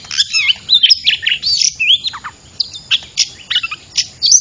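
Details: Trapping lure of an oriental magpie-robin: bright whistled phrases mixed with harsh chirps and wavering slurs, rapid and continuous, fading briefly midway before resuming.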